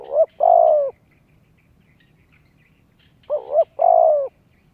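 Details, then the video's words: Spotted dove calling to lure wild doves and train young birds: two phrases about three seconds apart, each a short wavering double note followed by a longer, steady, slightly falling coo, against a quiet background. "Chim cu gáy kích bổi nhanh nổi, luyện giọng chim non, kích mồi cực sung."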